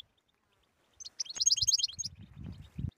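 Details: Short European goldfinch tabtaba burst, for prompting silent goldfinches: about one second of dense, rapid, high twittering, then low muffled thumps.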